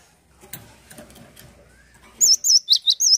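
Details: Over low background noise, a cinereous tit starts singing: loud, high, wavy whistled notes alternating with quick downward notes, about five notes in the last second.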